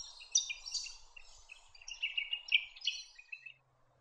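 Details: A rapid, chattering series of harsh, buzzy notes from a spectacled monarch of eastern Australian rainforest. The notes jump between higher and lower pitches for about three and a half seconds, then stop, with a soft hum beneath.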